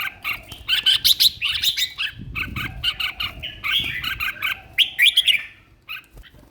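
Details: Red-whiskered bulbul, a caged contest singer in top condition, pouring out rapid choppy warbling notes in quick bursts, with a brief low rustle in the middle.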